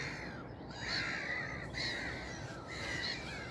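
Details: Distant black-headed gulls on a heavily misty spring morning give harsh, rasping calls, three grating bursts about a second apart, over a steady outdoor hiss.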